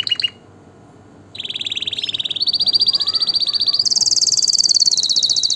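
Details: Canary song: a brief chirp, a pause, then long high rapid trills that step upward in pitch, each trill a fast even pulse lasting one to two seconds, clean background.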